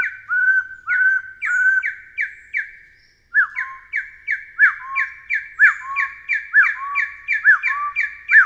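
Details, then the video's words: Taiwan hill partridge, found in dense forest and shrub understory of Taiwan's mountains, giving steady whistled calls, a short pause, then a louder run of falling slurs paired with low notes, about two per second. "深山竹雞/Taiwan Hill Partridge"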